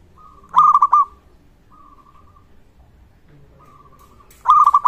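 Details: Zebra dove of a local strain in full voice, for prompting other doves and raising their arousal: two bright phrases of fast, rolling coo notes, separated by about three quiet seconds.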